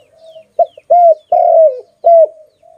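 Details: Loud coos from a pet dove: a clipped short note, then two longer coos that hold level and slide slightly downward at the end, with softer cooing before and after.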